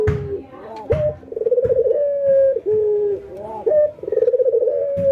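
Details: White albino ringneck dove against a local ringneck dove during routine training, nodding and laughing. A short clipped note leads into a rapid stuttering trill and a drawn-out level coo that sags at the end, heard twice, with a quiet background.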